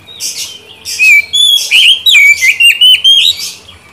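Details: Lure song of an Oriental magpie-robin, meant to get a non-singing bird to answer: a rapid string of clear, wavering whistles interleaved with harsh, buzzy notes, delivered almost continuously.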